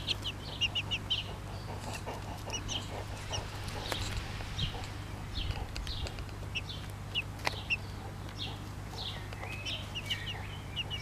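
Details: Mother hen of the Pekin bantam breed, bobtail colour, with chicks: scattered high falling peeps from several chicks, mixed with sharp clicks and scratching noises and a continuous low hum.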